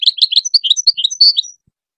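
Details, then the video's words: Goldfinch singing for teaching hybrid chicks: one continuous rush of high, rapid, tinkling twitters and short buzzy notes lasting about a second and a half, with nothing else heard. "The best singing to teach hybrid chicks and goldfinch"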